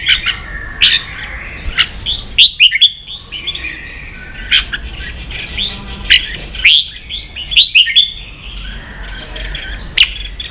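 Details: Ché-style song of red-whiskered bulbul, played for training young birds: short, loud, whistled and warbled phrases with sharp rising notes, separated by brief pauses, steady faint low hum beneath.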